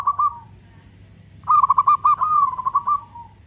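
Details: Local zebra dove singing long cooing phrases used to provoke other doves: a brief coo, a pause, then a longer stuttering trill of pulsed notes easing into a drawn, falling tone, with a low hum behind.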